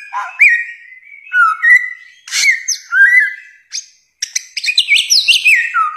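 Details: Loud melodious bare-throated whistler song: a low upslurred note leading into level whistles, a downward slur, a brief pause, then a burst of rapid high twittering with falling whistled notes.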